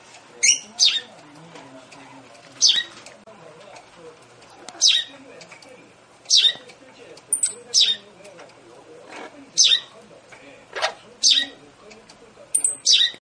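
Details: Japanese quail calling: short, harsh, high-pitched bursts of two or three parts, repeated every one to two seconds, with soft human voices in the background.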